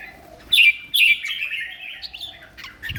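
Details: Singing red-whiskered bulbul in competition condition: two loud sharp opening notes followed by a sliding, rolling warble that fades out.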